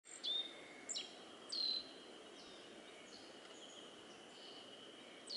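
Black-faced bunting singing thin, high, sharp notes in a brief opening phrase, then a pause before it starts again, over a steady background hiss.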